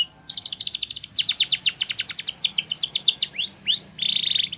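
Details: Spanish Timbrado canary song meant for training: fast runs of clear pulsed notes in steady rolling trills, shifting pitch between phrases, ending with two swooping rising whistles and a buzzy burst.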